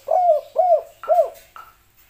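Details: Spotted dove, kuk 3 style call played sped up: three quick low arched coos in a row, then a faint fourth note, with a soft room hum behind.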